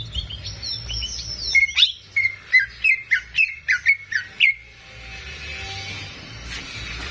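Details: Greater green leafbird, a caged bird, singing for training young birds: thin rising whistles, then a run of about eight loud, sharp, downslurred notes evenly spaced, ending abruptly into quiet background noise.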